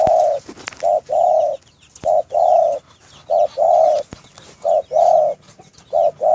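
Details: Caged spotted dove in a breeding enclosure giving steady low, soft coos, a short note and then a longer rounded note, the pair repeated about every second and a quarter, five times, with faint distant chirping.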